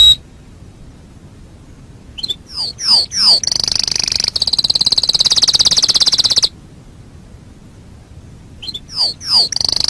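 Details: Canary master song for training birds: downward-sweeping whistled notes, then a fast, even buzzy trill held for about three seconds, a pause, and more quick sweeping notes.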